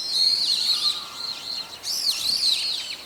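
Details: Brown-eared bulbuls, several birds calling in daytime: two bursts of shrill, harsh squealing with wavering, swooping notes, separated by a brief lull near the middle, with faint lower tones underneath.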